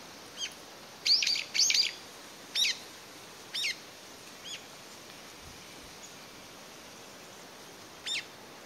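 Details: Brown-eared bulbul, a single bird recorded in May 2021 in Japan, calling loudly as if searching for companions after being separated from its family; short sharp high calls in uneven bursts, some doubled, with gaps and quiet background.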